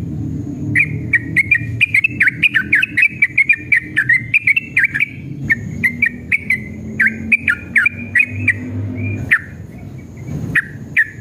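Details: Agitated yellow-vented bulbul giving a long 'ropel' song meant to provoke other bulbuls into answering. Dense, chattering whistles rise and fall in fast runs, with short gaps. A steady low hum sits underneath.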